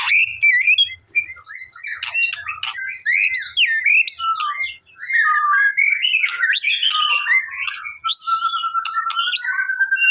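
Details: White-rumped shama song used to make a reluctant bird reply: varied short whistled phrases and chirps, ending in a long, even rattling trill, with faint low rumble at the start.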